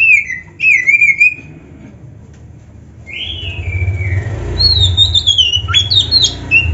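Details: Oriental magpie-robin song used to get caged birds singing back. Clear whistled phrases slide downward, a short pause follows, then rising and falling slurred whistles and quick sharp notes come over a low rumbling background hum.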